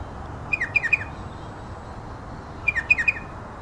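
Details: Striated pardalote of race melanocephalus giving two bursts of three or four quick, sharp, descending "cheep" notes, about two seconds apart, over a faint background hiss.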